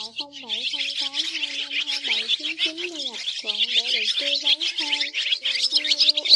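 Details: A dense, continuous high twittering of many white-bellied swiftlets in a flock-calling roost lure recording, with lower, bending whistled notes repeating about three times a second beneath the chatter.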